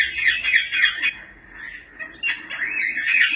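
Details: Grey parrot giving quick, rough squawks and wavering whistled notes in two bursts separated by a brief quieter gap.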